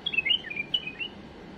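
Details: Tame bulbul singing a flawless tutoring song for chicks: one brief, quick phrase of liquid warbled notes that skip up and down, then silence.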